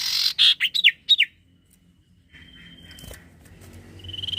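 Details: Common iora singing loudly and close: a burst of harsh, bright whistled notes in quick succession, then quiet, a thin steady note and the start of a buzzy trill.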